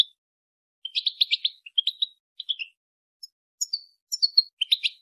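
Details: Mating-stimulation calls of a female European goldfinch: quick clusters of thin, tinkling chirps, some falling in pitch, in short runs separated by brief pauses, with no background noise.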